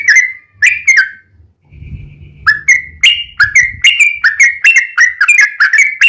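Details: Yellow-vented bulbul lure song: a few clear slurred whistles, a short pause with faint low rumble, then a steady run of bright, quick chirping notes.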